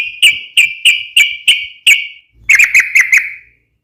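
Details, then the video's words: Yellow-vented bulbul fighting song for provoking other bulbuls to sing back: a string of six evenly spaced, ringing chirps, then a brief pause and a faster cluster of five. "trucukan gacor SUARA TAJAM TARUNG ROPEL"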